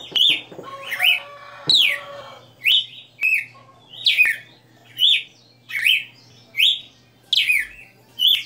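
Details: Caged red-cowled cardinal in full song, a string of clear whistled phrases roughly once a second, each a quick downward sweep ending in a short rising twist, over a soft background hum.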